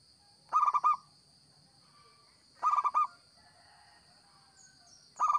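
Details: Local zebra dove in active song, suited to luring: two phrases of four to five rapid, resonant coos about two seconds apart and a third starting at the end, with faint chirps and a steady high hum.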